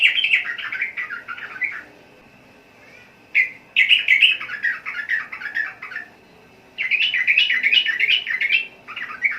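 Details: Repeated phrases of rapid, bubbly warbling from a sooty-headed bulbul, each run lasting one to two seconds and separated by short silences, with one sharp single note in a gap.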